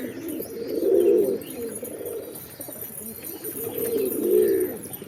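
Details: Deep, throaty pigeon coos swell and fade, a loud one near the start and another near the end, with softer low murmuring in the gap.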